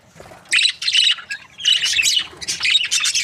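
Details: Australian budgerigars, a happy breeding pair, chirping in short scratchy warbled phrases with brief pauses between bursts.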